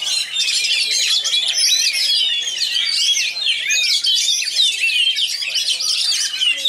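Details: A caged male Oriental magpie-robin from West Pasaman, Indonesia, pours out a fast, dense, unbroken song of high whistles, chatters and mimicked notes, with no pauses between phrases.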